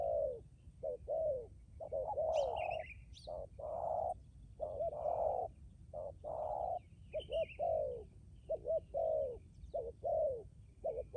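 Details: Spotted dove decoy bird giving repeated low coos, brief doubled notes and longer swelling coos in a continuous series, with scattered high chirps from another bird.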